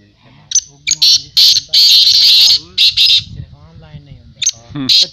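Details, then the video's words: Black francolin at a 2022 teetar voice tournament gives scratchy, strident high bursts, some drawn out and run together, over steady men's talking in Punjabi. "Black teetar voice tournament Black Francolin voice"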